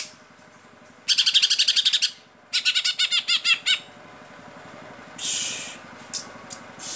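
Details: Cucak ijo, a kept Greater Green Leafbird in gacor form, delivers 'tembakan' shots: a fast burst of bright high notes, then a slower run of down-slurred whistled chirps, and a brief harsh rasp near the end, with faint low rumble behind.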